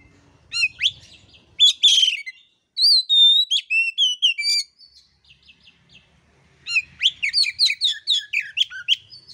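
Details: Oriental magpie-robin song used as a training lure for kacer whose voice is not yet full: bursts of loud, varied whistled notes and sharp chirps in quick phrases, broken by short pauses, ending in a rapid run of repeated notes.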